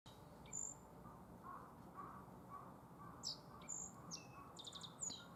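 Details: Black-faced bunting singing in spring at Tenjinyama green area, Sapporo, Hokkaido, Japan; short high thin phrases with buzzy trilled notes, scattered over the clip against steady low background hum.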